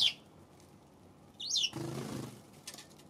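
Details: Eurasian tree sparrow on February 7: two sharp, high downslurred chirps, one at the start and one midway, followed by a burst of broadband rustling like wingbeats.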